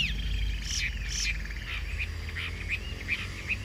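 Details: Chinese hwamei kept as a cage songbird, singing well: short clipped whistled notes in quick irregular succession, some sliding up and down, over a steady low hum.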